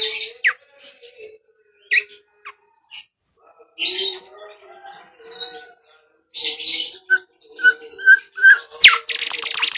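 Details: Bimoli song for luring training birds: irregular bursts of buzzy high chirps and short whistles, growing denser toward the end with rapid trilled notes.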